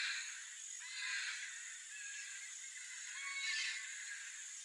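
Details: A wild Blue-winged (Illiger's) Macaw (Primolius maracana) in natural habitat in Brazil gives two harsh, raspy screeches about two seconds apart, over a steady high hiss of background noise.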